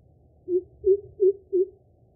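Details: Greater Coucal (Centropus sinensis) call, thought to be a territorial display: four deep, hollow, booming hoots in quick succession, each about a third of a second apart, with faint background hum.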